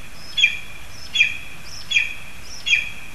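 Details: Lesser spotted eagles in a spruce in Zemgale, Latvia, with a frog brought for the young: four clipped, high yelps spaced under a second apart, moderately loud above a steady hiss of background noise.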